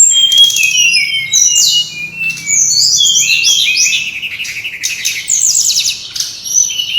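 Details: Brown-chested jungle flycatcher singing in a noisy, lure-style recording: rapid high whistled notes, sliding downward slurs and short trills tumble over one another without pause, with faint low hum underneath.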